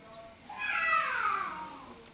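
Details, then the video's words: Common starling, Sturnus vulgaris, North Africa: a single drawn-out phrase of about one second, a bright band descending from high to mid pitch with faint harmonic overtones, over a quiet background. "Étourneau sansonnet Common Starling زرزور شائع"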